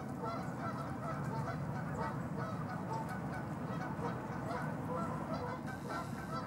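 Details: Several Canada geese honking together in Los Gatos, California, USA, 16 March 2019; short, nasal overlapping notes come continuously in a loose chatter above a persistent low rumble.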